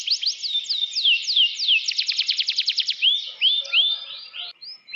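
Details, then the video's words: Canary in a cage singing a varied phrase: slower slurred whistles, then a rapid run of short buzzy notes, followed by rising sweeping whistles and a brief pause. "burung gacor dorrr dalam sangkar keramat"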